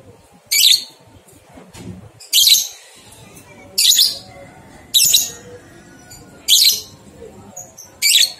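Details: A lovebird's ngekek, played to stimulate two-month-old youngsters to sing: six sharp, screechy, high bursts, each about a third of a second long, repeated roughly every one and a half seconds over quiet background.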